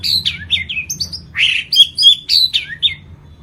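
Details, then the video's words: Lampung white-rumped shama delivering its complete 'isian' song: a varied chain of fluty whistles and quick slurred phrases, some rising and some falling, in short bursts with brief gaps. "SUARA BURUNG MURAI BATU LAMPUNG ISIAN KOMPLIT GACOR"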